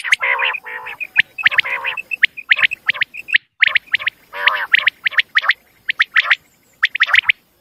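A female common quail gives quick, nasal, chirping notes in irregular bursts, some short and clipped, others slightly longer and buzzier. No other sounds are heard.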